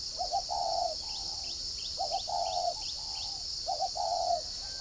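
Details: Decoy spotted dove of the 'giọng còi' voice type, kept at a farm in Ba Vì district, Hanoi, Vietnam, repeating a short stuttered coo and a longer held note roughly every two seconds. High chirps and constant insect buzz fill the background.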